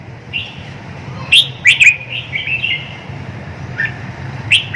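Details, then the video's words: Red-whiskered bulbul singing: a cluster of short, bright, chirpy whistled notes around the middle of the clip, with softer warbled notes before and after, over a steady low hum. "awe kicau | merbah jambul uniq"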